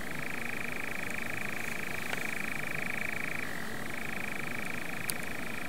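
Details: Long unbroken reeling churr from a European nightjar on a Norfolk heath, shifting down in pitch for a moment before resuming, with a couple of faint clicks and low rumble behind.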